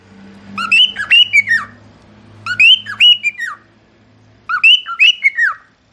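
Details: Cockatiel song in three similar phrases about two seconds apart, each a quick run of rising and falling whistled notes ending in a downward slur; low steady hum behind.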